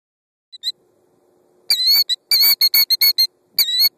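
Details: A female killdeer guarding her nest of 2 eggs in gravel gives loud, shrill, piercing alarm notes in quick bursts, about eight in a rapid run, fussing at an approaching car; faint low engine hum.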